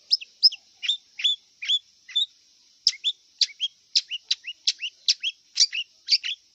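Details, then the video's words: Sharp two-part notes from a wild long-tailed shrike, each a high click followed by a lower slurred whistle, repeated steadily about three times a second over a faint high hum. "Kicau cendet liar"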